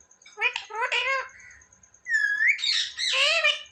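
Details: Parrot kept as a pet saying short speech-like words, then a clear rising whistle, then a long harsh, voice-like phrase, with a faint steady high tone in the background.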